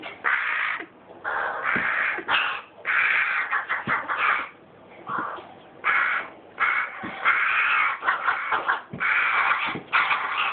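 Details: Carrion crow nestling calling persistently: rough, raspy, drawn-out cries in a near-continuous run of about a dozen bursts, some long and some clipped, with brief pauses between them.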